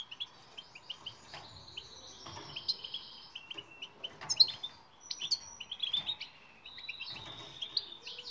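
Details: European goldfinch song for coaching silent birds: sparser high chirps building into bubbling twittered phrases with a few sharp whistled notes over a quiet background.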